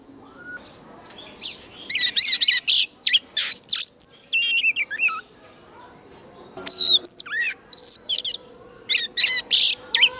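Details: Oriental magpie-robin lure song in a mature wild voice for stimulating captive birds to sing, with a pause before bursts of clear whistles and harsh buzzy notes, then another run of loud varied phrases after a quiet gap.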